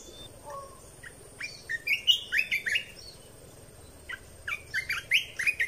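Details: Red-whiskered bulbul song, played to train young birds and excite birds: bright, bubbly whistled phrases of quick rising and falling notes, a rapid burst mid-clip and another near the end, over a steady low hum.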